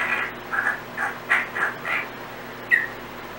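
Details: Timneh African grey parrot, a pet kept indoors, making random sounds: a run of seven short hoarse squawk-like notes at mid pitch, roughly one every half second, with steady room hiss behind.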